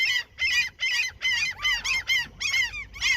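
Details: Seagulls fed at a fishing spot, birds said to attack intruders there; rhythmic series of strident, arching calls repeated about every third of a second, each a harsh nasal yelp.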